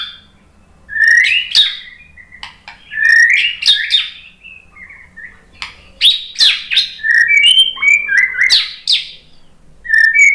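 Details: White-rumped shama provoked by a lure into full song: fast, varied sequences of melodious whistles, upslurred notes and sharp clicks, several phrases per second in places, against a quiet low hum.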